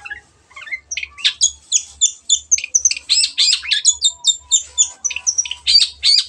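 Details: Gacor song of a long-tailed shrike, played to make reluctant birds sing: a fast, continuous string of squeaky chattering and whistled notes, varied and high-pitched, over a faint low throb.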